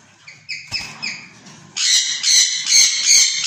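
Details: A pair of white (colour-mutation) rose-ringed parakeets give short, harsh, high squawks, a few spaced notes at first, then a rapid run of loud screeches several times a second.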